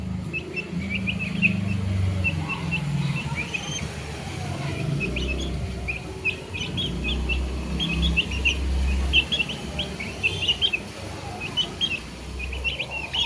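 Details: Young chicks chirping in a steady stream of brief high peeps, clustered in quick runs, over a loud low rumble like a passing vehicle or machinery.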